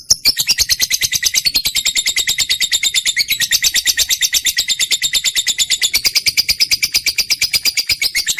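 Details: A trained lovebird keeps up a long, dense, shrill chatter of very fast high chirps, almost continuous and slightly varying in pitch.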